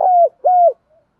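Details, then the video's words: Two smooth, level coos from a spotted dove, each about a quarter second long with a slight drop at the end, separated by a short gap, followed by a faint, soft trailing note and silence. "Tieng chim cu gay thuc gay goi. cu gáy"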